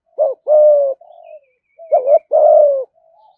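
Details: Spotted dove giving 'thúc gù' coos to lure wild doves to the perch to fight. Two low phrases, each a short quavering note and a long, level coo, with softer trailing notes after each. Quiet, clean background.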